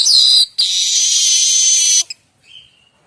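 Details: Streaked weaver (manyar kembang) singing, used to train magpie robins and other songbirds: a short loud buzz, then a longer sizzling wheeze of about one and a half seconds, followed by a soft thin whistle.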